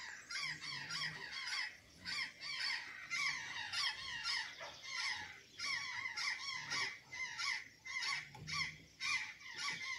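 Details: Azure jay at Santa Catarina, Brazil, feeding on banana and sweet potatoes, giving rapid, repeated, harsh downslurred calls that overlap in near-continuous bursts over faint background noise.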